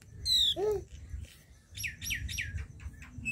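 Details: A flowerpecker, India's smallest bird, gives thin, high, down-slurred notes: one sharp note, then a quick run of four similar chips. A lower whistled note and a faint background hum are also heard.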